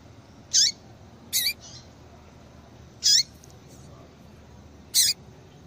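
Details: Female yellow-bellied seedeater call for stimulating a male's song: four sharp, high chips with a falling tail, unevenly spaced, plus a softer trailing note after the second.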